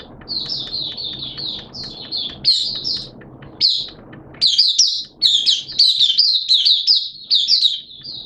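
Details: Open singing ('buka sing') by a caged Oriental white-eye during wet, erratic weather on 11 September 2022; a long run of fast, high, chattering warbles with brief breaks, growing louder and denser toward the end.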